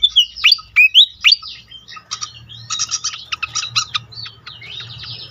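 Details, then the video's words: Malaysian pied fantail giving a burst of squeaky, sharply rising whistles, then a fast, scratchy chatter of harsh clipped notes, high-pitched and uneven in pace. "on konsLet sekali pancing bikin cepat gacor sikatan kipas lain"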